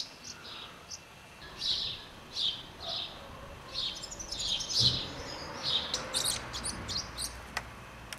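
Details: House martins feeding young in Přerov-Kozlovice, Czech Republic, give a run of short, dry, high chirps and twitters, several voices overlapping at an irregular, busy pace over a faint background hiss.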